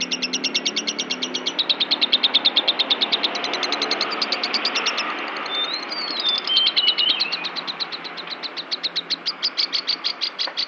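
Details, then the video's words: Agitated lovebird giving a fast, rapidly repeated chattering song of dense high chirps, about three per second, with a few thin whistled slurs near the middle, engine hum faint underneath. "kicau burung lovebird gedek ngamuk"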